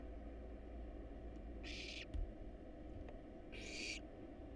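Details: Two loud, hoarse hissing calls from wild barn owl nestlings begging as they are fed a rat and rabbit inside a nest box, with a faint click between them and a steady low hum.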